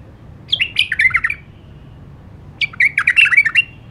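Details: Two lively warbled phrases from an Iraqi nightingale (White-eared bulbul), each about a second long, made of quick, jumpy whistled notes that bounce up and down, separated by a short silence.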